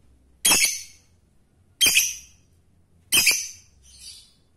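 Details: Male lovebird calling to a female; three loud, harsh, shrill squawks spaced about 1.3 seconds apart, the last followed by a softer, shorter note, in a quiet setting.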